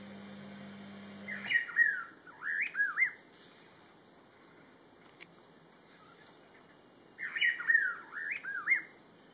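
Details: Rufous-throated partridge on an Inthanon birding trip, delivering two bursts of loud, clear whistles, each a run of rising and falling slurred notes, separated by about four seconds of near silence.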